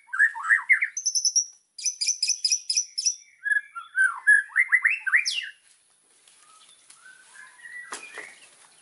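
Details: White-rumped shama in full song, used to train other birds: mixed whistles, a high rattling series, tumbling warbled slurs, then fading to faint notes.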